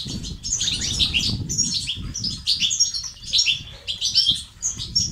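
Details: Male European goldfinch singing betbeta and sestasat phrases to rouse males into activity: rapid, bright twittering and trilled notes in rolling phrases, accompanied by a constant low rumble.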